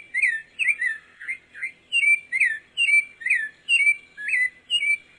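Pale-breasted thrush giving short, bright warbled phrases, about two each second, rising and falling in a clear mid-high pitch, with no other sounds.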